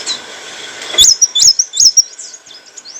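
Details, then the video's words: Olive-backed sunbird, song used to train cage birds: three quick high hooked whistles after a soft hiss, followed by thinner fading slurs. "kicauan burung kolibri wulung - suara jernih untuk masteran & pancingan"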